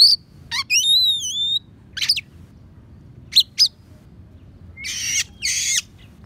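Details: Oriental magpie-robin singing imitations of sparrow and prinia, a master track for teaching songbirds: sharp chirps, then a long wavering pure whistle, more clipped notes and two loud grating harsh bursts, against quiet low hum.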